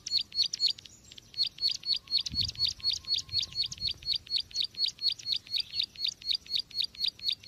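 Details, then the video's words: Trapping lure of a bar-winged prinia: steady train of high, sharp chirps about two per second, with a faint thump and low murmur partway through. "Suara pikat burung ciwa/cici glaga/ciblek sawa"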